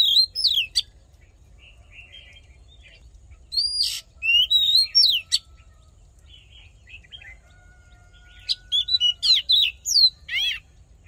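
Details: Oriental magpie-robin fighting song for voice training, delivered in separate bursts: sharp whistled phrases, a soft warble, several seconds of near quiet with faint notes, then a final quick series of high whistles and buzzy trills.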